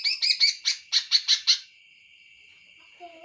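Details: Greater green leafbird giving a rapid series of harsh, scratchy notes, about eight in a second and a half, which fade into a steady thin high whine. A faint lower whistle follows at the end.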